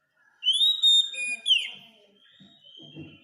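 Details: Oriental magpie-robin (kacer) masteran song for training caged birds: bright whistled phrase of rising and falling pure notes ending in a downslurred note, faint low rustling and murmurs afterward.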